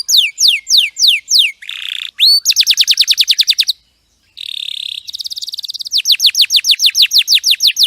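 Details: Canary song used as training material for other songbirds: rapid series of clear descending whistled sweeps, buzzy trills and fast repeated notes, all high-pitched, with a brief silent pause midway.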